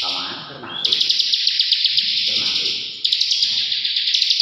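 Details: Bar-winged prinia (ciblek) singing in the ngebren style: a dense buzzy high trill with rapid ticking notes, broken by a short pause near three seconds, over faint low background noise.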